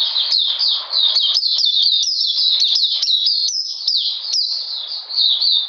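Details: Oriental magpie-robin in cold, wet weather, 13 June 2020, giving a continuous run of high, clear whistles with sharp upward starts and falling tails, tightly packed and steady in loudness.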